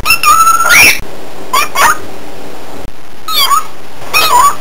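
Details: Pet cockatiel giving a range of its voices: a long level whistled note with a sharp rising flick, then short bursts of bright harmonic chirps and a wavering whistle, separated by brief silent cuts.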